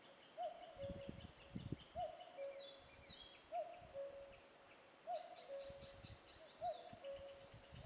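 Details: Common cuckoo calling a clear two-note cu-ckoo, the first note higher and the second lower, repeated five times about every one and a half seconds. Faint high chirps from other birds and low rumbling noise sit beneath.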